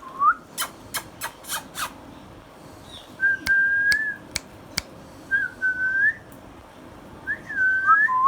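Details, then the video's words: Pet Indian ringneck parakeet, green and hand-tame: a rapid string of sharp clicks, then level whistles with slight bends, separated by single taps, closing with a dipping two-part whistle. "Ringneck parrot compilation | Parrot natural sounds | Green Ringneck Parrot sounds"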